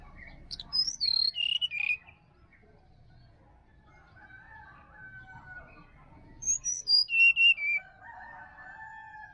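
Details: Sirdadu singing wild in Bali forest, a morning recording meant to coax a silent caged bird: two bursts of sharp descending whistled notes ending in a short wavy phrase, with softer mid-pitched bird calls between them.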